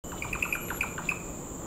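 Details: Crow-billed drongo in Malaysian rainforest, November 2020, giving a quick run of short, sharp chirps on one pitch, about five within a second, over a steady high insect drone.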